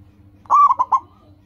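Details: Local zebra dove (perkutut) with a crystal-clear voice, used as a lure for training. One phrase: a sustained mellow coo followed by three short, quick notes over a faint low hum.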